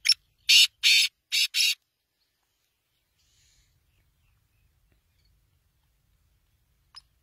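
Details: Black francolin giving a loud, grating call of five harsh, noisy notes packed into the first two seconds, followed by near silence and one faint click at the end.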